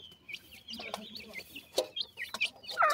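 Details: Partridge chicks at their food give thin, high cheeping notes, some falling and some rising, with occasional louder peeps and soft clicks between them.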